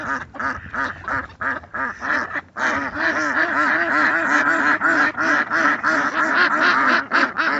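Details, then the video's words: Ducks seen in their natural surroundings, a dense flock giving harsh nasal quacks that overlap almost continuously, sparse at first and then merging into a steady chorus. "Sonido de Patos"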